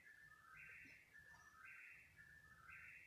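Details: Unidentified bird calling at 3 in the morning over some thirty minutes; short whistled phrases alternating a high burst with lower falling notes, coming about once a second, plus a faint brief chirp and low rumble.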